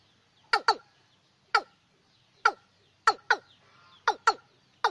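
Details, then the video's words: Watercock pair calling at night, a sound used to lure birds during the sixth to tenth lunar months: sharp, loud, clipped notes, often doubled, repeated irregularly about nine times, over a quiet background. "Tiếng Cúm Núm Đôi Đánh Đêm Hiệu Quả ( Đánh Tháng 6 - 10 Âm Lịch )"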